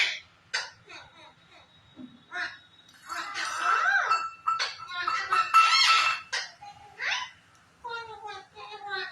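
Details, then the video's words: A talking Indian green ringneck (rose-ringed parakeet) chatters in squeaky, speech-like phrases mixed with shrill squawks and clear whistled notes, in short bursts. "Indian Green Ringneck Parrot ||Adorable Parrot Parrots Lover || Parrots Talking"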